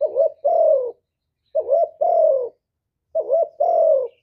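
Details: Hạp bổi-style song of a spotted dove, combining calling, urging and cooing, recorded live without background noise; three deep paired coos, each a short hooked note then a long falling one, about one and a half seconds apart.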